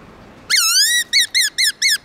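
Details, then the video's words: Forest-style song (giọng rừng) of a black-throated laughingthrush in the morning: one long, bright, slightly wavering whistle followed by four short, high, arched whistled notes in quick succession. "Khướu bạc má HÓT GIỌNG RỪNG buổi sáng"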